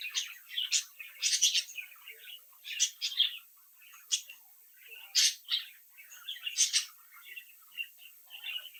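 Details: Brood of budgerigar chicks in captivity, chirping and mimicking; lively warbled chatter with loud bursts of rapid squeaky notes and clicks, several birds calling at once.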